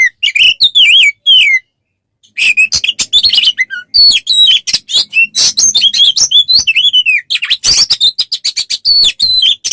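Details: Oriental magpie-robin, locally kacer, singing a tutor song for training other songbirds; fast varied whistles and slurs mixed with harsh buzzy chatter and sharp clicks, crowded and nearly continuous after a brief pause.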